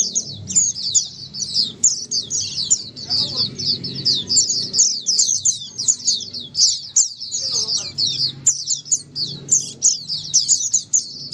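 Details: Crowded white-eye singing used to stimulate non-singing white-eyes to reply; an unbroken stream of high, bright twitters and trills from many birds, steady throughout, with a soft low background murmur.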